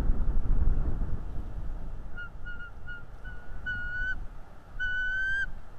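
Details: Bald eagle chasing a stranger eagle away, caught on a live nest cam: a run of short piping whistles, soft at first, then growing longer and louder, ending in drawn-out rising notes, with wind rumble underneath.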